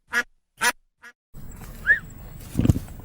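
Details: Farm duck quacking three times in short nasal bursts, followed by a noisy stretch with low rumbling, a faint rising squeak and a louder thump near the end.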